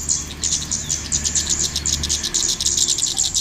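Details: Golden-headed cisticola calls played as a lure to draw birds onto birdlime: a fast series of thin, very high chips repeated several times a second, over a steady low rumbling background noise.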